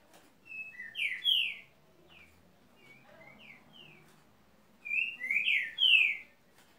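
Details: Two full whistled phrases from a green-winged saltator, each ending in rich falling slurs, separated by softer scattered whistled notes.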